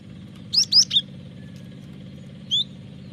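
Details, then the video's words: Cinereous tit song used as a lure for training birds: three quick, high, slurred whistled notes, then a single note two seconds later, over a steady mechanical hum. "Pancingan suara burung gelatik batu gacor ampuh masteran suara burung gelatik batu gacor"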